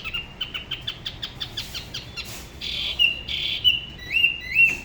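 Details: Spot-throated babbler from Da Lat, Vietnam, singing by the La Ba river: an even train of short clipped notes, then sustained buzzy whistles and rising slurred phrases.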